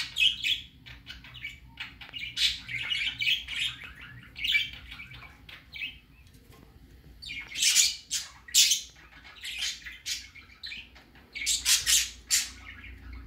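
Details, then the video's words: Baby budgerigar out for the first time chatters in warbling, scratchy phrases, then loud harsh squawks in clusters near eight and twelve seconds, quiet gaps between, faint hum behind. "Baby parakeet first time go out"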